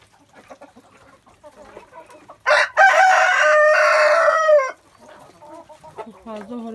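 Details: A rooster gives one loud, harsh crow lasting about two seconds, with soft clucking and quiet speech before and after, early morning as the backyard hens are let out of their coop.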